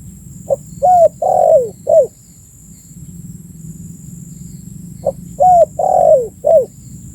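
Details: Spotted dove calling, used as a bird lure; two four-note coo phrases separated by roughly three seconds of quiet, each ending in a long descending coo and a short falling note, low hum throughout.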